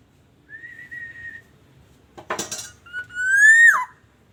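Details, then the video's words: Lure song of a black-naped oriole from Aceh: a steady level whistle, a brief clatter of metallic noise, then a clear mellow note gliding upward and falling away abruptly. "Kicauan kepodang emas pikat"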